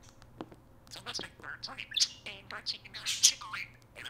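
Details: Talking parakeet kept as a pet, babbling phrases such as "Hey Siri" to wake an iPhone assistant; squeaky, clipped syllables tumble out in quick irregular bursts, growing louder and busier toward the end.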